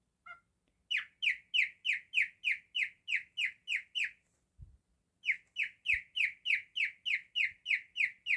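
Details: Pet male cockatiel singing in imitation of a canary: a clear series of short downslurred whistles, about three per second, broken by one brief pause, with faint low knocks in the background.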